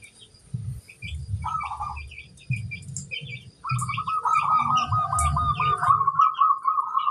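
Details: Crossbred local zebra dove, a vigorous singer said to set others answering, gives a brief trilled coo, then a long rolling, bubbling coo phrase of nearly three seconds; soft knocking thumps and scattered high chirps from other birds.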